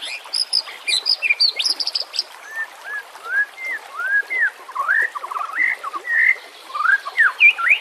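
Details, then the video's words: White-rumped shama singing, recorded as a lure and training aid with background stream sounds: a run of high chips opens, then a series of curved, looping whistles, a brief stuttered trill and bright upslurs, over trickling water. "PANCINGAN murai BATU pasti langsung TAK BISA DIAM | pancingan murai TERBAIK"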